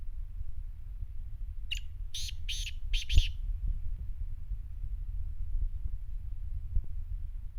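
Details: Kala teetar, the black francolin, delivers one phrase of five harsh, grating notes within about a second and a half, followed by steady low rumble and faint clicks.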